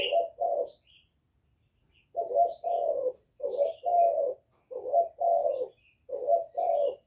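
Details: Spotted dove with a 'Thổ' style voice, calling to provoke wild rival males: paired coos, a short note then a longer rolling one, repeated about every second and a half, with a brief pause near the start and faint high chirps above.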